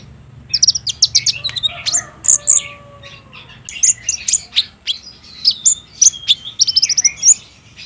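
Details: Olive-backed sunbird song played in daytime to make a kept bird answer. Dense bursts of high, sharp twittering are split by short gaps, and faint lower whistled tones come early.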